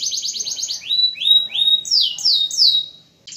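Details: Singing canary, 'gacor' style used to spur silent canaries into song: a fast rattling trill, then a few slurred downward whistles and buzzy high phrases ending abruptly.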